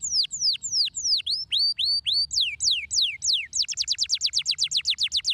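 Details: Canary song meant to stimulate singing: slow V-shaped whistled notes, then falling sweeps, then a quick rolling trill of high downward strokes.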